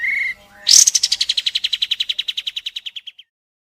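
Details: Pied triller (kapas tembak) in the fast, dense 'tembakan' shooting song style: a short steady whistle, then a rapid trill of about twenty clipped high notes that slowly fade and slow over two and a half seconds.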